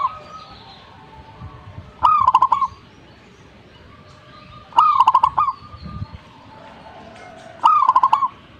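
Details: Zebra dove singing vigorously, with three phrases spaced nearly three seconds apart. Each is a bright first coo and then a swift rolling series of short notes. Quiet background with faint low rumbles.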